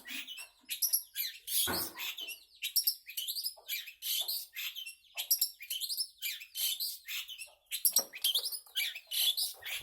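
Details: Energetic long-tailed shrike song, a dense, nonstop run of varied chattering, scratchy and twittering high notes with quick rises and falls and barely a pause, delivered with steady intensity throughout.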